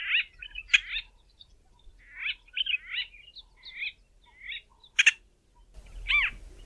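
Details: White-fronted bee-eaters, very vocal birds recorded giving several call variations: a run of rolling, throaty, nasal chirps and trills, varied in shape, with a few sharper clicks between them.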